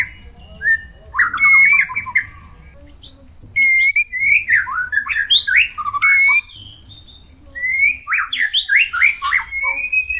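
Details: Caged white-rumped shama singing during mating, played to bring shamas into breeding condition: varied whistled phrases with fast slurred notes and scratchy bursts, delivered in several runs with short pauses between them.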